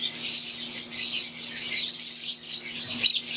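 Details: Wild-type green Fischer's lovebirds in an aviary keep up a dense, shrill chatter of overlapping high chirps, with a steady low hum underneath and one sharper squeak near the end.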